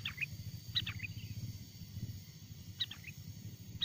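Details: Sooty-headed bulbul song recorded from a wild bird and used for luring others: a few scattered short phrases of quick bright notes with gaps between, over a high steady hum and murmuring low noise.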